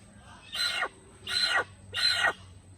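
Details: Little hornbill calling in natural surroundings, three loud, rasping nasal notes each lasting about a third of a second, spaced evenly at half-second intervals, with low background hum.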